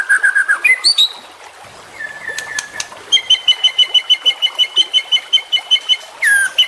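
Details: Young white-rumped shama, a champion bird heard on a training recording, sings short whistles, a drawn-out flat note, then a fast, even series of buzzy repeated notes ending in a rising sweep.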